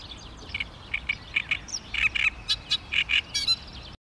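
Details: Great reed warbler recorded on 16 May 2013, giving a steady series of short harsh chattering notes, mostly paired, repeated roughly every quarter second against a soft background hiss.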